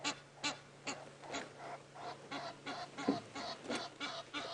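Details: Egyptian geese on a live safari drive at 7:30 on Aug 22, 2016, Djuma Game Reserve area, give harsh, broadband honks in an irregular series, roughly two or three a second, with a steady low hum beneath.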